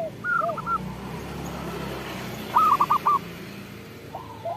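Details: Local zebra dove, song used as a lure for other zebra doves: two brief runs of four or five short, clear coos, more distant and softer, over steady background hiss.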